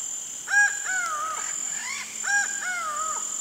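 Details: Acauã, the laughing falcon, sounding two rich paired phrases, each a brief sharp note then a longer sliding note that droops at the end, against a continuous shrill insect whine.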